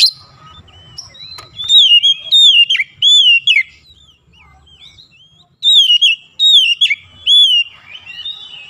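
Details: Kacer, the White-rumped shama, singing in a recording used as therapy to get a silent bird to sing: clear sliding whistles in two bursts separated by a quiet pause of about two seconds.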